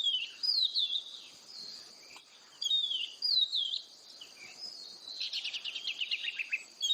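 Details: Oriental magpie-robin, known locally as kacer, singing vigorously: sweet whistled phrases with slurred up-and-down notes, then a fast, buzzy descending trill of rapid repeated notes, over a steady high insect-like hiss.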